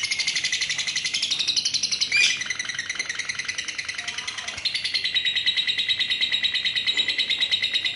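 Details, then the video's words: A female lovebird gives a long, continuous shrill trill of rapid high chattering notes, a single bout said to run two minutes, with a brief break near the middle before the trilling resumes. "LOVE BIRD BETINA KONSLET NGEKEK PANJANG"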